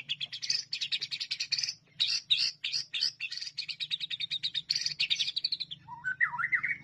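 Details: White-rumped shama in a tutor recording, giving fast chattering, buzzy high trills in dense bursts, closing with a few lower wavering whistles, over a faint low hum.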